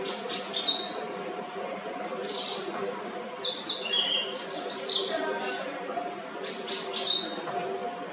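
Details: White-browed wagtail singing clear, rhythmic chirps and trills in short high bursts, separated by pauses, over a steady low background hum.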